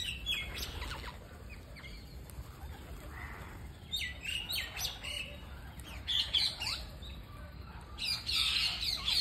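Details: Parakeet at feeding time, with a busy stream of high, scratchy chirps and squawks, some rapid and clustered, over steady background hiss and low rumble.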